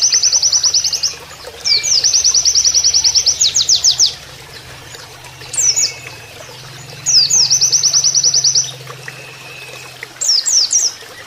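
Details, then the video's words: Oriental white-eye master song in canary fashion, mixed with flowing water: long fast trills of high repeated notes, each burst of several seconds broken by short pauses and brief twittering flourishes. "MASTERAN PLECI NEMBAK KENARIAN"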